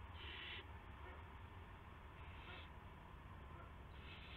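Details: Owl recorded at 8:00 PM on March 18, 2016 by a live camera as a gopher is carried to its partner; one clear harsh hiss followed by two fainter ones, with low steady hum.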